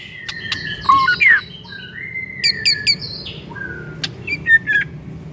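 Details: Lure song of a white-rumped shama to get another shama singing: clear whistled notes, slurred and falling, mixed with sharp chips and short repeated high notes, with pauses between phrases.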